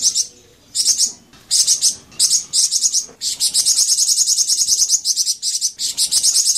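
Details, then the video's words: High-pitched Flamboyan bird song meant as a pancingan to make caged birds respond: a few short shrill chirp bursts at first, followed by a lengthy, continuous flow of fast, thin twittered notes. "Suara Merdu Bikin Burung Flamboyan Teler dan Langsung Nyaut"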